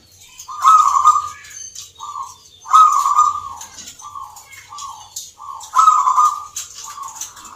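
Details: Zebra dove singing at a Yogyakarta contest judged on the Nglagu Ngepat Mentaraman rhythm: three loud, purring coo phrases roughly every two and a half seconds, each trailed by short softer notes, with thin high chirps from many birds behind.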